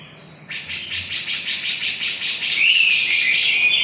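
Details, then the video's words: Javan grey-cheeked bulbul bursting into quick grating chatter, then overlaying a thin, slightly rising whistled note on the continuing rasp. "cucak jenggot jawa gacorr"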